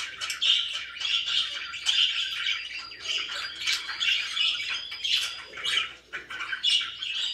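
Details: Pet budgerigars, described as very happy, chirping continuously: dense, scratchy, warbling chatter with squawky notes and quick twittering bursts overlapping throughout, strong and steady with only brief dips.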